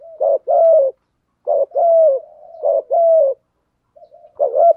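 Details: Spotted dove kept as a decoy bird, giving the thúc gù cooing style: low, hollow two-part coos repeated in bursts, each rising then sliding down, with short pauses between phrases and no other sounds.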